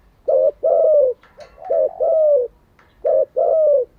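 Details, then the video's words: Spotted dove cooing, used for training newly caught and decoy doves: three low, hollow, two-part coo phrases, each a short note followed by a longer falling coo, spaced about a second apart, in a quiet room. "Tiếng chim cu gáy mới nhất, dùng luyện chim gáy bổi và mồi hàng ngày"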